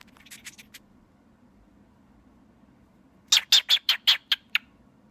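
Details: Cockatiel at home, playing happily with its reflection on a phone, gives a soft run of quick chirps, then after a pause a louder burst of about seven sharp, high chirps over a faint indoor hum.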